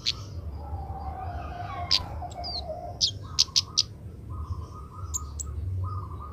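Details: Young Oriental magpie-robin learning to sing, being trained so it starts singing sooner: scattered short high chirps and sharp notes, a few clustered near the middle, over a steady lower buzzing tone and low background hum.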